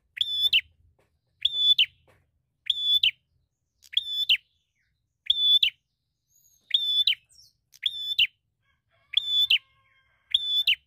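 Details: Bar-winged prinia singing eagerly as a fighter hunting for a rival; nine strident, buzzy level notes, each with a sharp end, come at a fairly steady pace of about one per 1.2 seconds.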